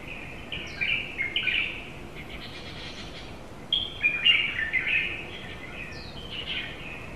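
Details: Two Japanese white-eyes, a pair, calling outside a home window in July 2018, give clear, high twittering chirps in two bursts separated by a short pause, each a rapid jumble of thin sweet notes, with soft background hiss.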